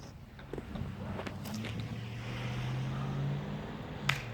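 A steady low engine hum with a few scattered knocks and clicks; no animal voice stands out.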